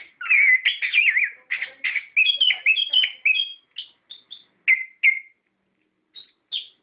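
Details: Orange-headed thrush in full voice, a recording meant to provoke captive birds to answer: fast twisting whistled phrases with mimic-like variety, fading into scattered high chips and brief whistles.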